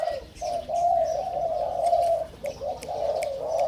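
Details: A crossbred young Spotted Dove, just over five months old and from a first clutch, now in an excitable calling phase, gives a run of soft, low, mellow coos, drawn-out notes with brief breaks at even pitch; faint room noise.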